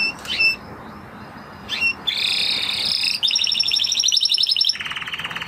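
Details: Spanish Timbrado canary, the original breed, singing: brief rising chips, then dense high metallic trills and rapid pulsed rolls, ending on a lower buzzy trill.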